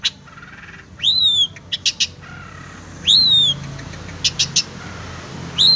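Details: Long-tailed shrike training recording: two long, clear whistles that rise and then fall, separated by clusters of short, very high clicks, with a soft background hiss.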